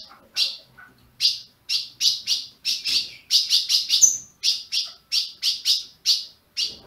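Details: Bright, clipped chirps from a captive ultramarine grosbeak in Brazil, coming in irregular bursts of two or three, with one thin high whistle inserted near the middle.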